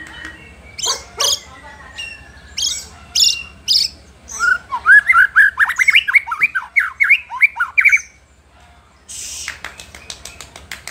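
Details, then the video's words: White-rumped shama singing to provoke rivals: harsh rasping notes, then a fast stream of loud rising and falling whistles, followed by a brief quiet and a buzzy rattle. "murai batu gacor pancing emosi lawan"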